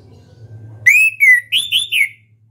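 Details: Orange-headed thrush, a national contest champion singing in the ngeplong style: after near silence, a short burst of loud, rich whistled notes, first a slurred sustained whistle, then three quick bright rising-falling notes, over a low steady hum.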